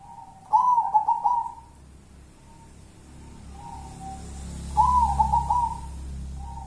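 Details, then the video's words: Wild local zebra dove ('kuntilanak' perkutut) delivering two bursts of rapid wavering whistled coos about four seconds apart, with softer trailing notes between, over a faint low hum. "Perkutut kuntilanak"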